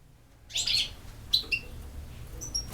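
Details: European goldfinch, described as a campero bird, giving brief high twittering notes: a bright burst near the start, then scattered short chirps and thin whistles over a quiet low hum.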